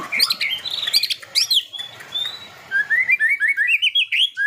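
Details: White-rumped shama song: varied sharp whistles and slurred notes at first, then a quick series of about a dozen short repeated chirping notes rising slightly in pitch.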